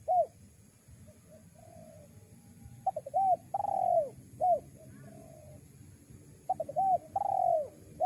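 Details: Spotted dove coos used as a lure for wild doves: short hooked notes near 700 cycles followed by longer drawn-out falling coos, in irregular bursts over a low background hum.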